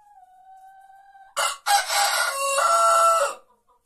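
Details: White rooster crowing before dawn in an Andalusian village. A faint, steady, low tonal murmur is followed by a short burst and then a long, loud, hoarse crow that holds level before fading.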